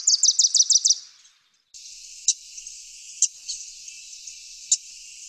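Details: Wilson's Warbler, Lake Tahoe area: a fast song burst of about six sharp, high chips in under a second, followed by steady hiss with a few clicks.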